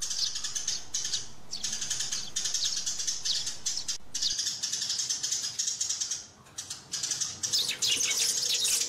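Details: Fighting and calling sparrows: busy, shrill chirps pour out in overlapping bursts, with the chatter dipping quieter around six seconds before surging back louder.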